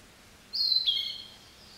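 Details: A Narcissus flycatcher singing gives one thin, high whistled note, lasting under a second and sliding gently downward, over a quiet background.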